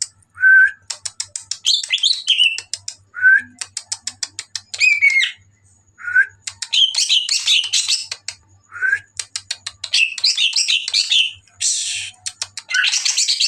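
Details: Greater green leafbird in energetic song at night; repeated phrases of a short clear whistle followed by fast trains of sharp ticks and tumbling buzzy warbles, over a faint low pulsing hum.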